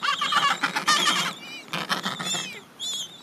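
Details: Adélie penguins in a colony of thousands at the end of summer, when young birds shed their last chick down before their first swim, give harsh, throaty, pulsing brays in quick bursts, with several voices overlapping and a thinner rising call near the end.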